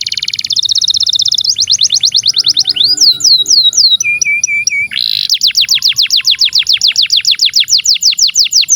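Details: Canary in full long song, used to tutor young canaries and birds that have gone quiet: fast high rolls of repeated notes, swooping whistles and a lower trill, then a long steady run of rapid chips.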